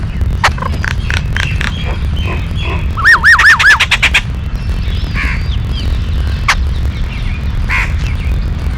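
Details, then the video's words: Yellow-billed babbler (Kariyila Pakshi) with scattered harsh chips, then a loud burst of wavering, squealing notes repeated four or five times within a second, followed by quieter scattered calls amid low noise. "Kariyila Pakshi or Yellow billed blabber sound"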